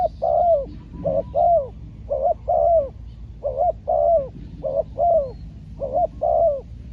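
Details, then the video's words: Trained spotted dove used as a decoy in Thai dove trapping, calling to draw in a wild bird: soft hollow coos grouped in twos, each pair a short note then a longer falling one, repeated steadily against quiet low background hum. "ต่อนกเขาใหญ่ พานกฝึก เจ้าอันาดามัน ออกฝึกเก็บเชลยแต้มแรกกได้สำเร็จเชลยเสียงเล็กคูดี"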